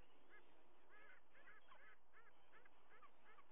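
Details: White-bellied sea eagles at the nest while the adult female feeds two full-cropped eaglets fresh fish; about eight quick, nasal honking notes in a ragged series, some paired, over constant hissing background noise.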